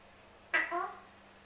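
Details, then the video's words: Male pet Alexandrine parrot wanting his apple gives a single loud, harsh, slightly drawn-out squawk that starts abruptly and fades within half a second. "MY ALEXANDRINE PARROT WANTING HIS APPLE"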